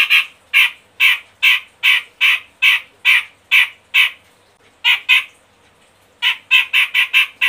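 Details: Grey-cheeked bulbul (Medan type) gives a lure song to make other birds sing: a series of loud, harsh, scratchy notes, about two per second, then a pause and a faster burst. No other sounds.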